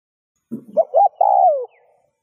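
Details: A single spotted dove phrase meant to provoke other doves to coo: a soft low rustle, then two quick notes and a long drawn coo sliding downward.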